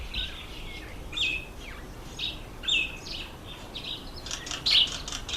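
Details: Red bishop in breeding season, October to November, at reedbeds over water where males hold territories: scattered short high chirps and thin whistled notes, some sliding down, spaced irregularly against a soft rural background.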